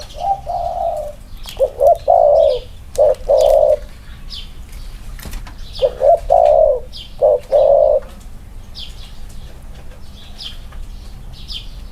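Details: Two male spotted doves, one wing-clipped, set next to each other for comparison. A run of low, throaty cooing phrases in quick groups of short and long notes, repeated through the recording with light rustling.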